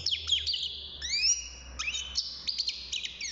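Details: Six-month-old caged European goldfinch beginning its song, with high twittering and rising slurred whistles over a faint low background hum.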